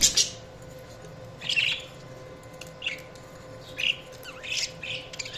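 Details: Budgerigars giving short, separate chirps and squeaky tweets spaced about a second apart, with quiet pauses between and a faint steady hum in the background.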